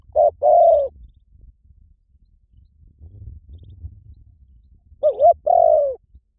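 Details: Spotted dove calling as a lure: one short-long coo pair, about four seconds of low rumbling background, then a second pair opening with a wavering double note.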